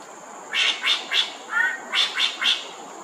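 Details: Greater racket-tailed drongo singing from a perch at Thomson Nature Park, Singapore: three harsh, rasping bursts, a lower mellow warbled note, then three more rasping bursts in quick succession, with a constant high-pitched insect hum behind.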